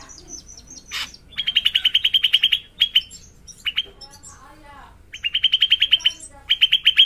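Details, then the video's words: Indonesian drongo in long rolling song, with bursts of rapid evenly spaced chattering notes broken by short gaps, single sharp calls and a soft low warble. "Srigunting gacor ngeroll panjang"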